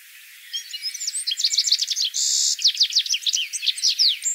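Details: Citril finch singing a continuous, fast, high-pitched twitter of short slurred and rising notes, broken midway by a brief buzzy, harsh tone before the tinkling chatter resumes.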